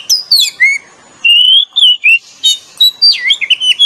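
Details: Oriental magpie-robin pair, male and female, giving lure song: a descending whistle, a pause, then steady whistled phrases and a final burst of twisting, quick notes.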